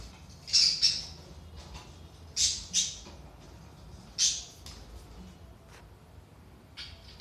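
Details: Budgerigars, played to stir inactive budgies into activity: loud high squawks in short clusters about every two seconds, fading to fainter chirps, over a quiet low hum.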